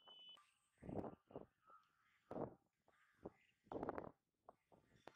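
Grey-headed swamphen giving loud, harsh, nasal honks in short bursts roughly every one to one and a half seconds, with softer clucks between.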